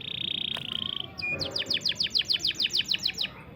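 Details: Canary song meant for coaching young or non-singing canaries: a steady whistled tone and buzzy trill, then about a dozen evenly spaced downward-swept notes repeated several times a second.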